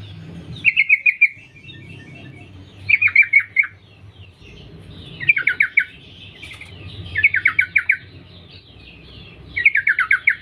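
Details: Sooty-headed bulbul female summoning males, a lure call; five bursts of quick, descending chattering notes repeating roughly every two seconds, with a steady low hum underneath.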